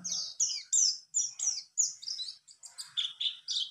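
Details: Caged mountain white-eye, a bird kept for ten days and said to be starting to sing: rapid sequence of high, bright whistled and twittering phrases, some slurred downward, delivered in quick bursts with a clean quiet background.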